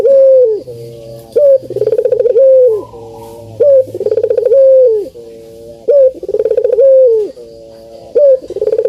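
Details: Puter, or Barbary dove, repeating its deep cooing as a lure for birds slow to call. Each phrase is a rapid vibrating burst sliding into a long falling coo, repeated regularly about four times, over a faint low hum.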